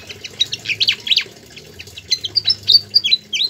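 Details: Pied fantail singing in full, lively voice, recorded as tutor material for songbirds: quick bursts of high squeaky chirps and short downslurred whistles, closely spaced, with a faint low hum underneath.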